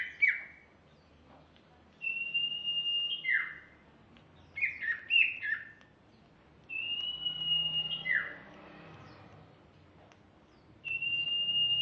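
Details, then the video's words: Female greater green leafbird singing: clear high whistled notes held level, sharp downward-sliding slurs and quick clusters of chirpy phrases, in bursts separated by short pauses, over a faint low hum. "kicau Cucak Ijo ( betina )"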